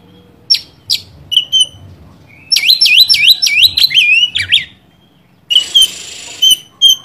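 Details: Oriental magpie-robin song used to provoke a rival bird: scattered sharp chips, then a fast burst of repeated swooping high whistles, a pause, and a harsh buzzy passage with clear high notes, over a faint low hum.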